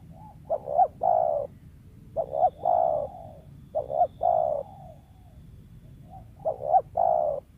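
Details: Wild spotted dove, valued as a lure bird, giving repeated cooing phrases: a quick stuttered double note followed by a longer rolling coo, about every one and a half seconds, with soft background hiss.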